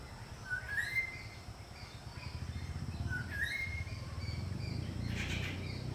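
Greater racket-tailed drongo giving two clear, rising whistled phrases about two and a half seconds apart, over a steady low rumble of background noise.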